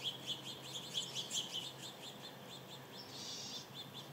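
Costa's hummingbird giving thin, high, rapid chip notes, several per second, with a brief hissy rush near the end.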